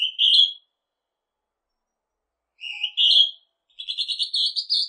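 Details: Northern hawk-cuckoo calling its two-part high whistle twice, lower note then higher, followed by a rapid run of short, bright notes that climb steadily in pitch.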